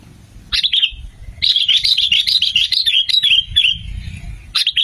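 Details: Lure recording of a sooty-headed bulbul meant to attract others and set them singing. A short warbled phrase, then a long run of fluid bubbling notes lasting about two seconds, ending with another quick burst.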